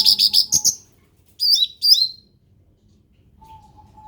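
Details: Cucak ranting, a bulbul described as endemic: a rapid burst of bright, chattering chirps, then two short slurred whistled phrases that fall in pitch, over a faint steady hum.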